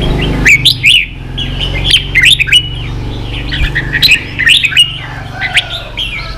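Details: Red-whiskered bulbul singing in the ché style, used to train young birds. Bright whistled phrases rise and twist, delivered in quick bursts separated by short pauses, over a faint low hum.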